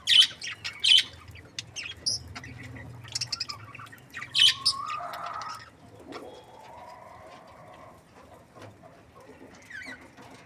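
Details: Budgerigars chirping: a burst of sharp, high chirps and squeaks in the first few seconds, then softer, lower warbling notes and scattered faint chirps as the activity tapers off.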